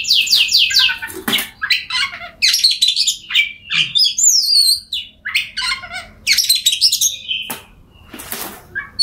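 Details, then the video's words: Varied Oriental magpie-robin song meant to prompt silent birds to sing, with fast descending trills, harsh squawky notes and high sliding whistles in bursts separated by brief pauses. "Kacer Bisu, Dijamin Bunyi Setelah Mendengarkan Suara Kacer Ini.."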